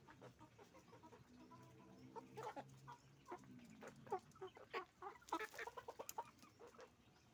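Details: Chicken farm with roosters and hens calling together, a busy chorus of rapid clucks and cackles, louder bursts toward the end over a low droning background.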